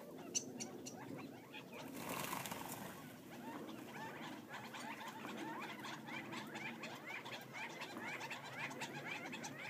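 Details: A flock of wild Gambel's quail (Callipepla gambelii) feeding just outside Florence, Arizona, keep up a busy stream of short, soft chips and clucks, many birds overlapping, with a brief rush of noise early on.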